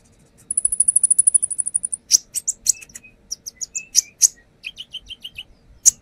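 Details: Lure song of a brown-throated sunbird showing off its repertoire: a fast high rattling trill lasting over a second, then varied sharp chips and a string of lower, evenly spaced whistled notes, with faint background hum.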